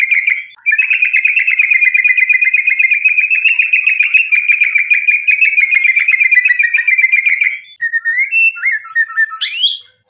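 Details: White-rumped shama in full, energetic song, used as a lure to provoke other shamas into singing: a long, fast stuttering trill of rapid repeated notes held for about seven seconds, then a few sliding whistles and a sharp rising note.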